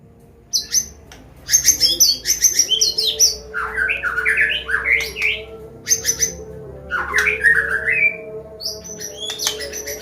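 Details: Medan white-rumped shama giving a combination song in the ngeplong style, used to prompt and teach young birds to sing: high thin notes followed by buzzy, rapidly warbled phrases in bursts, with a steady low hum behind.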